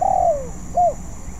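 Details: Spotted dove still learning its song: one long, smooth coo sliding downward, then a brief arched coo after a short pause.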